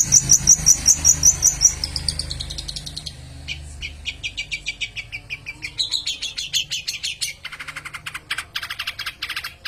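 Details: Long-tailed shrike in peles song: an opening string of thin high notes, then a steady, fast stream of dry chattering chirps lasting several seconds.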